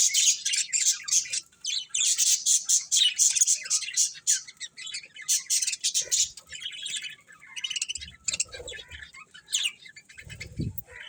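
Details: Budgies chatter rapidly, a fast stream of high, scratchy chirps about four per second, later thinning to scattered squeaks with some low rustling.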